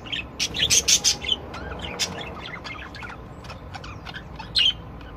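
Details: Budgerigar song from several different birds, opening with a run of five loud, scratchy chattering bursts, then softer warbled clicks and chirps before another loud burst near the end.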